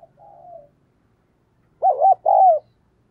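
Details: Decoy spotted dove cooing fast to lure wild doves: a soft, faint drawn-out coo, a pause, then two loud, quavering coos in quick succession, all mid-pitched, with quiet surroundings.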